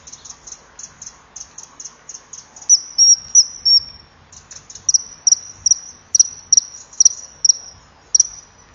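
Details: Male common kingfisher on a perch near a pond at 13:37 on 25 October 2015, loudly calling at an intruding juvenile before chasing it away: rapid thin piercing high whistles, about three a second, some sliding downward, over faint hiss.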